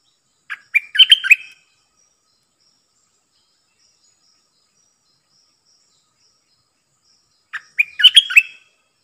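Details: Decoy Streak-eared bulbul kept to lure wild birds and teach young birds: two brief bubbly chattering phrases about seven seconds apart, each a rapid run of five or six notes, with silence between.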